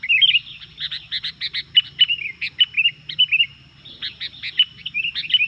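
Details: Energetic song of a Sooty-headed bulbul meant to anger other bulbuls: fast bursts of clipped chirps mixed with short warbled slurs, almost continuous, a low steady hum underneath.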